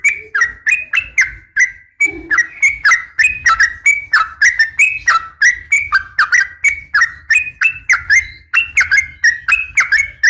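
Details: Female Yellow-vented Bulbul calling a male: a steady run of short bubbly whistled notes, each dipping and rising around the same pitch, repeated roughly three times a second for ten seconds with a brief pause near the start.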